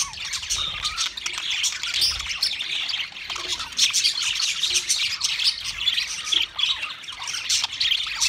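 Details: Pet budgerigars singing: a dense, continuous flock chatter of scratchy, buzzy warbles and rapid chirps, high-pitched and overlapping throughout, with no pauses.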